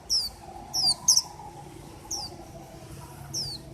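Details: High, falling whistled notes from a singing white-eye, two close together, then a quick double note, followed by two softer notes, with a faint low drone behind.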